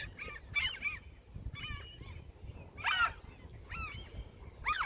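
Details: Gulls being fed near a fishing spot give scattered harsh squawks and downslurred yelps in short bursts with pauses, over quiet low rumbling background noise.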